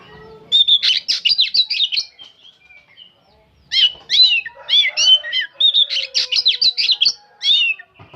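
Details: An old oriental magpie-robin sings without stopping in a rapid chattering style, pouring out loud, varied whistled and buzzy phrases in dense bursts, with a brief pause before resuming.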